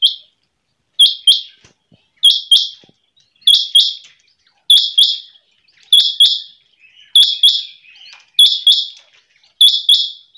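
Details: A quail, possibly a female, calls in the early morning with a sharp, high, chirping double note, repeated steadily about once every second and a quarter, nothing else heard; quail.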